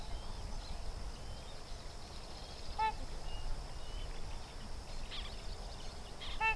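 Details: A Sandhill crane colt and its parents at Sherburne Wildlife Drive give two brief, bright, resonant calls a few seconds apart. A faint thin chirp is heard, and there is constant low rumbling wind or traffic noise.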